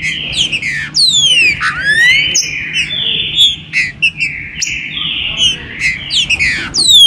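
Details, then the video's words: A Green-winged saltator sings a loud, rich run of clear whistled phrases with sweeping rising and falling slurs, repeated almost without pause; a pre-season 2022 warm-up song used to rouse other saltators. "trinca-ferro ESQUENTA"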